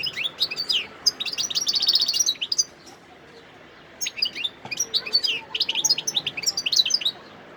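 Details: Wild goldfinch singing in Sidi Bel Abbes, Algeria, 17 December 2021: rapid twittering, tinkling high notes in two bursts, with a pause of about a second and a half between them.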